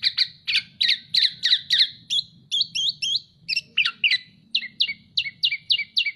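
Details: Tame black-naped oriole in full voice: quick bursts of short, high chirps, each sliding sharply, repeated several times a second in uneven runs with brief pauses between them.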